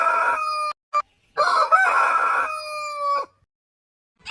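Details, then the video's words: Rooster crowing in two bursts: a short crow, then a longer steady, ringing crow held for almost two seconds before stopping abruptly, with the start of another at the close. "Suara Ayam Berkokok Panjang Ayam Jantan Berkokok Rooster Crowing"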